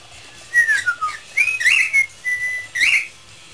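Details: Pet parrot improvising a tune, with gliding whistles that fall, then rise and waver, and a held level note followed by a rising flourish.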